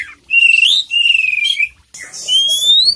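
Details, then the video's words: Oriental magpie-robin, poci variety, in strong full-isian song. Two clear whistled phrases with a fast trilled, wavering texture, then a long thin whistle gliding upward in pitch. "suara kacer poci gacor full isian"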